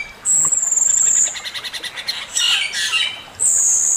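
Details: Male Chinese hwamei in master song: a long piercing high whistle, a fast pulsing trill, harsher rich notes, then another sustained shrill whistle.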